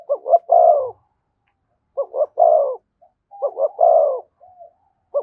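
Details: A spotted dove near a decoy bird repeats its thúc gù coo. Three phrases of a pair of clipped notes and a longer mellow, falling note, with short soft notes between and the start of a fourth at the end.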